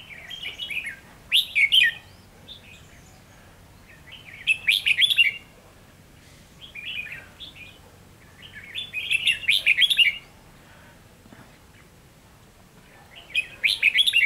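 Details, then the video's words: Decoy red-whiskered bulbul used for trapping, recorded 7 November 2016, singing loud warbled phrases of chirpy whistled notes, each about a second long, repeated roughly every three to four seconds over a faint background hum. "Bẫy chào mào"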